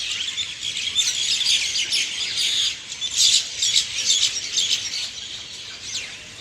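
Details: Morning birds chirp in a lively chorus, high fast twitters with several loud bursts of rapid repeated notes, fading slightly near the end.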